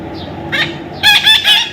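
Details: Baby parrot being tamed, first a brief harsh note, then three loud, rasping, harmonic squawks in quick succession over a low steady hum.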